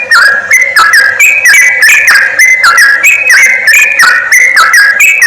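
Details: Yellow-vented bulbul lure recording used by trappers to draw wild birds close: a dense, continuous run of bubbly, slurred whistled notes that overlap and rise and fall, with chattering phrases repeating about every second.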